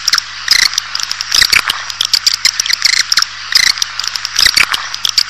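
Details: Calling swiftlets used as a lure for bringing a colony into a building: buzzy high chattering phrases in short bursts, separated by scattered clicks, with a low hum in the background.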